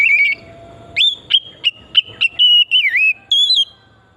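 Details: Lure recording of a forest oriental magpie-robin in full, vigorous song: a warbled opening, then a series of clear whistled notes and sliding, wavering phrases with short pauses between them.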